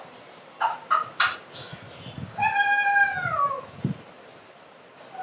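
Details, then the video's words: Pet African grey parrot, presented as talking, gives three short nasal bursts, then a long, drawn-out, meow-like wavering call that slides downward, and ends with a brief thump. A soft low room hum runs underneath. "full talking African grey parrot best parrot talking in the world"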